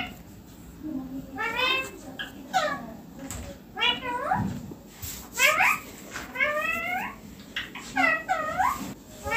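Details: Green ringneck parakeet kept as a pet and perched on a neem tree, making repeated grating rising squawks in uneven bursts across the recording, with some voices and household sounds in the background.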